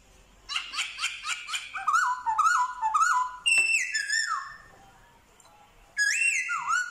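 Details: Black-throated laughingthrush (Pterorhinus chinensis), a trained male, in mimicry song imitating dogs, cats and chickens: a fast run of harsh, stuttered notes, then loud ringing whistles that rise, slur and drop, with mimicked tones mixed in.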